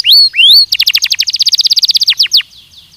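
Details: Belgian canary in a song-training recording: two rising whistled slurs, then a fast, even series of about twenty clipped notes ending with a few falling chips and a faint fade.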